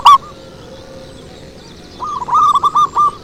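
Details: Zebra dove lure call: one sharp short note, a quiet gap of nearly two seconds, then a rising, stuttering phrase of five quick mellow coos.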